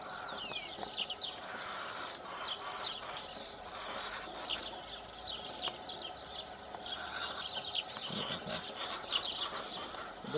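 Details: Rosy starlings keep up a dense, continuous chatter of squeaky, rasping chirps and short whistles from many birds at once, faint rural background, at Congosto in June 2021, birds apparently competing for occupied nest sites; Rosy starling.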